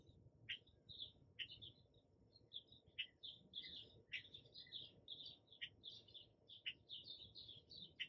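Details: High, thin chittering from hummingbirds visiting a feeder, captured in the morning by an iPhone 11 set on a tripod next to it: rapid clusters of squeaky chips with occasional sharp ticks throughout, over faint low rumble.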